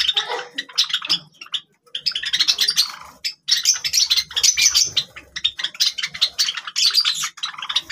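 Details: Dense, almost continuous chattering of high chirps from several Java sparrows playing with grass, broken only by two brief pauses.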